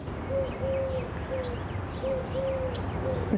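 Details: A Eurasian collared dove gives its low, hollow three-note 'boo-hoo-hoo' coo, short-long-short, twice in quick succession, on a morning street in La Jolla, San Diego, California, over a low rumble with faint high chirps from other birds.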